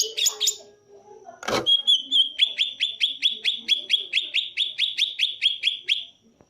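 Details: Green leafbird (cucak ijo) in tembakan song: a few scratchy high notes, a sharp click, then a steady machine-gun series of about fifteen identical ringing chips, roughly two per second, fading at the end.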